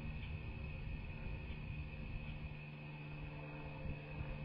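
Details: Low, steady rumble like a distant engine with a constant hum and faint hiss; no animal voice.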